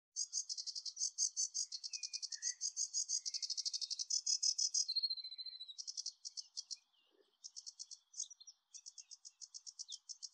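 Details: A sedge warbler singing at Anderstad, Lier, on 17 May 2024 gives a fast, chattering stream of dry, grating notes, broken by a brief whistled slur and short pauses before resuming in rapid bursts.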